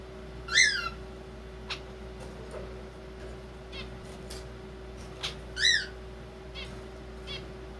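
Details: A young zebra finch chick, possibly male since it sings, beginning to practise its song: two short, nasal, harmonic notes about five seconds apart, still awkward and speech-like, over faint clicks and a steady low hum.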